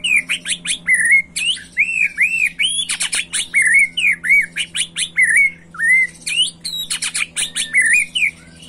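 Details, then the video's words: Agitated young white-rumped shama singing macul style: loud repeated whistled arcs and upslurred notes, about two per second, broken by sharp clicking rattles, with a steady low electrical hum beneath. "Murai Batu emosi Gaya MACUL‼️pancing emosi BuruNG Muda"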